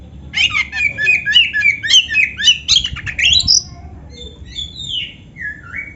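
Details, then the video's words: Oriental magpie-robin delivering a complete, canary-filled song. A long run of harsh, squawky chattering notes repeats about four times per second, then gives way to several clear, drawn-out descending whistles. "suara Kacer gacor isian komplit | Masteran Kacer ISIAN Burung Kenari"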